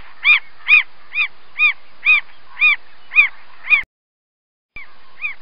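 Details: Northern mockingbird delivering a steady run of identical nasal, arched notes with rich overtones, about two per second, then a short gap before two more similar notes; no other sounds are evident.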